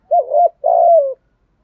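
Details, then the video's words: Spotted dove decoy coo in the 'thổ sấm' style for luring wild doves: a double-humped soft coo, then a long, slightly rough coo that slowly falls in pitch. "tiếng cu gáy mồi gáy gọi bổi lẹ về cội"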